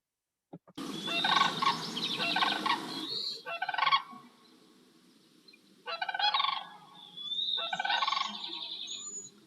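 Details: Sandhill Crane in Montana giving the resonant, rolling bugle that is audible for miles: loud, rattling bugles in four bursts over about nine seconds, with a low rumble under the first burst.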